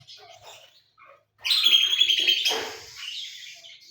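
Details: Lovebird singing a filler song in the Cililin, jenggot and sewing-machine styles: a quiet start, then a loud one-second burst of high, rapid chattering that fades into softer twittering.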